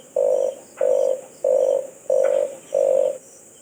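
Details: Five low, flat cooing notes from a red collared dove, each roughly a third of a second long and spaced about two thirds of a second apart, above a faint constant hiss.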